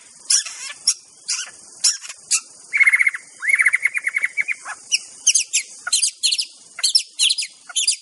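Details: In the wild, a white-rumped shama delivers rapid chattering and ticking notes in quick bursts, with a stuttering run of dense repeated whistled pulses in the middle, all over constant high hiss.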